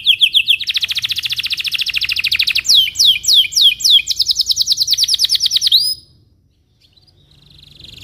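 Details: A Belgian canary sings in the morning, used as a tutor song for young canaries: a fast, high rolling trill breaking into sweeping downslurred whistles before returning to the rapid trill, then falls quiet.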